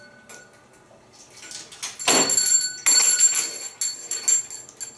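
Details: Bright metallic bells ring in bursts over rustling and clattering indoors, with no animal voice heard.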